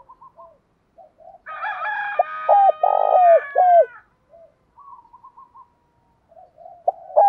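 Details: Spotted dove challenge call for training decoys to fight: a loud phrase of low coos around a rough rolled croo, overlapped by a rooster crowing, with soft repeated dove cooing before and after.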